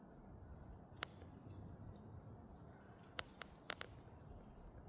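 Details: Varied tit in Korea giving a few sharp, clicking tick notes, one alone and then a quick cluster, with thin high whistles between over a steady low rumble.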